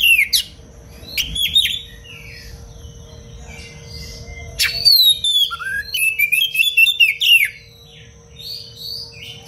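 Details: Oriental magpie-robin in lively, dense song used as a training recording for other birds: rich whistled phrases and sharp chirps in bursts, some notes sweeping down, with quiet gaps between, and a steady low electrical hum behind.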